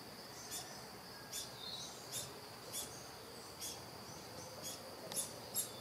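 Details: Hungry Yellow-olive Flycatcher nestlings in a nest on a coffee farm, fed quickly, give short, harsh, hissing begging calls roughly once a second, over a steady high-pitched insect drone.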